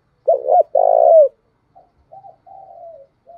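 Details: Spotted dove kept as a lure, cooing so that wild birds reply. One loud phrase of two quick notes and a long, vibrant falling coo, followed by weaker, more distant cooing.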